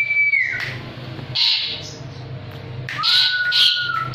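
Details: Asian pied starling held in the hand and singing: a falling clear whistle, a pause, a short harsh burst, then a long level whistle followed by scratchy notes.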